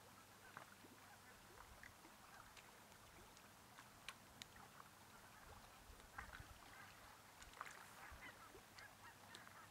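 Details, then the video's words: Thousands of migrating Arctic barnacle geese resting near a home in central Finland, off their normal migration route; a distant, dense chorus of short barking calls overlaps continuously above a low rumble of background noise. "Thousands of Migrating Arctic Barnacle Geese - Milliers de Bernaches nonnettes arctiques migrantes"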